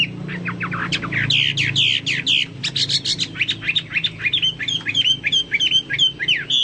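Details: Chinese hwamei in vigorous song (gacor), said to sound like cucak Papua or cucak mas: quick, sharp downslurred notes giving way to long runs of rapid, repeated chirping whistles.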